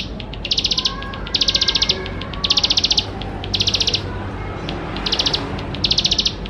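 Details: Lively singing from a bar-winged prinia used as a lure for young birds: dense, high, rattling trills in bursts under a second long, separated by short pauses, with a faint low background hum.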